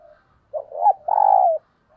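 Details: Spotted dove kept as a decoy, giving a 'thúc gù' urging coo: a short soft lead-in, a rising hooked note, then a long, steady, throaty coo that slides slightly downward.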